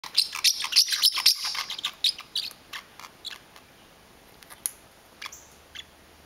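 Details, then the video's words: Pet parrotlet, angry and territorial over his blanket whenever it is touched, gives a quick burst of sharp, high chirps and squeaks in the first second and a half, then scattered single ticks as things go quiet indoors. "Baloo the Parrotlet gets angry"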